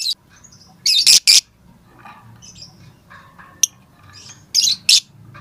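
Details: Lovebird calling to its companions, giving short harsh high squawks in pairs and small bursts, with scattered faint chirps between them over a quiet background.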